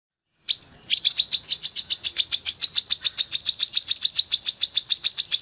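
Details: Female Brown-throated Sunbird in lively full song with open beak: after a lone opening note, a fast, steady train of sharp, high chirps runs about three to four per second without a break.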